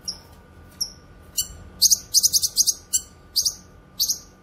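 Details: Cucak kinoy, recorded as a lively singing bird for training other songbirds and luring wild ones: short sharp high chirps, some sliding down, then quick bursts of bright repeated notes, with a faint steady hum behind.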